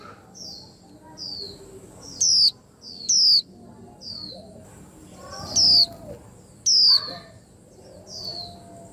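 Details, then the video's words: High, sharp, descending whistles from a white-eye, four loud notes in uneven spacing, surrounded by several quieter similar chirps from other birds and brief rustling. "Tiếng Chim Khuyên Làm náo loạn cả giàn"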